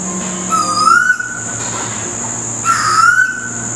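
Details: Common koel (storm bird) in a tree right outside a house, heard around 5am: two loud, rising whistled notes about two seconds apart, over a steady high-pitched insect-like hiss.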